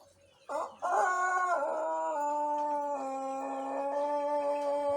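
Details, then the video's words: Young Pelung rooster in Indonesia, one month into learning to crow, recorded in the morning with an empty crop on a normal bran diet; a single long, sustained, tonal crow rises abruptly then holds steady and slightly falling for over four seconds. "Suara Pelung Jejangkar baru suara 1 bulan"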